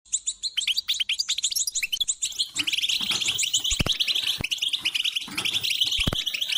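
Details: European goldfinch mating song in the 'batbata' and 'tastasa' styles, meant to stimulate shy or silent goldfinches. Dense, high twittering and buzzy trills run almost without pause, and a few sharp clicks sound in the second half.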